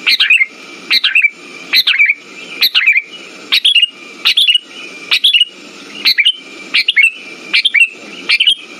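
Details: Sooty-headed bulbul song used to prompt silent bulbuls: rapid run of bright bubbly phrases, a high sharp note then a quick falling flourish, repeated every 0.8 seconds or so, over soft hum and a steady background whine.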